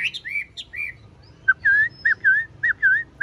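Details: Caged, tame Chinese hwamei with a large body and blue eyes sings a string of slurred, rising-and-falling whistled notes. The phrases come in quick repeated bursts, with a few sharper high notes at the start.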